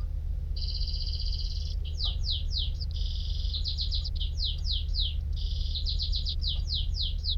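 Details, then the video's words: Singing canary alternating buzzy rolled trills with runs of quick downward-sweeping whistled notes, the pattern repeating three times over a constant low background hum. ".تغريد طائر الكناري ...Nicest twitter canary"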